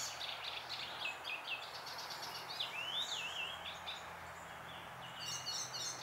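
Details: Icterine warbler song recorded in June 2021: varied, chattering phrases with zigzag warbled notes, nasal chirps and a closing series of rapid high twitters, against a low steady hum.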